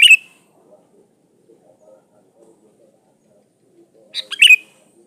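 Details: Sooty-headed bulbul in full, lively song, used as a lure recording to call rivals: two short, bright, bubbly whistled phrases, one cut off at the start and one near the end, with near-silence between.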